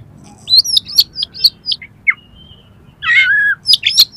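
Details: Oriental magpie-robin song for competition training: short bright whistled notes, a few downslurred chirps and a raspy sliding call midway.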